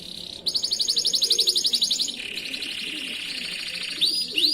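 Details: Canary master song used for training other canaries: a fast, buzzy high trill of rapidly repeated notes, then a lower rolling trill, ending with two short rising whistles.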